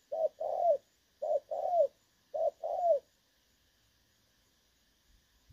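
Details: Spotted dove used as a trapping decoy, giving its clear 'đồng son' call, 16 August 2024. Three quick short-then-long coo pairs in the first three seconds, then near silence with a faint low thump at the end.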